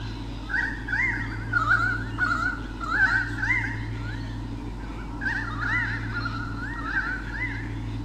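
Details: Pair of white-bellied sea eagles, male and female, recorded in 2013 by a nest camera at Sydney Olympic Park, Australia, defending their territory from swooping currawongs; loud nasal honking calls in bursts, a steady low electrical hum beneath.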